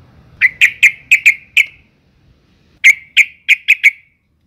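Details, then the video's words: Female sooty-headed bulbul in breeding condition calling to males, a call used to lure males into singing; two quick bursts of sharp, bright chirps, six then five, separated by a silent pause. "suara panggilan burung trucuk betina gacor birahi paling di cari untuk pancingan trucukan agar bunyi"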